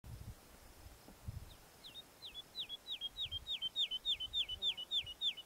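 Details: Woodlark singing a phrase of about fourteen liquid, down-slurred notes, repeated roughly three times a second. The notes grow steadily louder toward the end. Faint low thumps are heard near the start.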